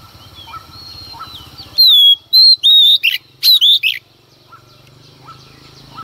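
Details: Female Oriental magpie-robin in early morning, singing to provoke males; after soft background chirping, six loud, ringing whistled notes with downward slurs come in two groups between about 2 and 4 seconds.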